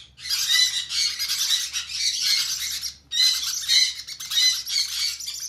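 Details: Hand-fed conure chicks beg with continuous grating, hissy squawks, two long bouts separated by a brief gap, over a steady low background hum.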